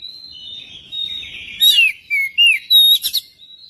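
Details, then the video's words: Magpie-robin singing to prompt other magpie-robins: a long, soft, steady whistle, then loud looping whistled slurs and a brief harsh burst, with a faint low rumble underneath. "pancingan kacer biar cepat gacor dan ngobra"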